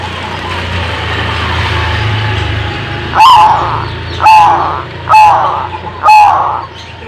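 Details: Zebra dove song: after a few seconds of low rumbling background hum, four loud, clipped cooing notes come roughly one second apart, each with a sharp click at its onset.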